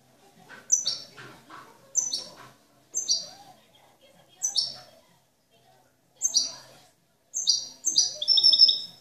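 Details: A European goldfinch sings a clean song without faults or discordant notes: bright, high tinkling bursts about every second or two, building to a fuller twittering phrase, over faint low background noise.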